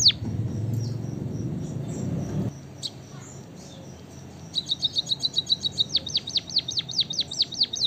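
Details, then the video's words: White-headed munia, locally called emprit kaji or bondol haji, singing: after a low rumbling noise stops, a quick series of about a dozen high, arched whistled notes, each rising then dropping sharply, repeated steadily over several seconds. "emprit kaji gacor"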